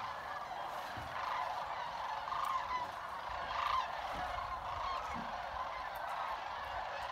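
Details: Sandhill cranes at Jasper Pulaski Fish and Wildlife Area fill the air with a sustained murmur of trills and chatter; several nearer rolling calls stand out about once every second or two.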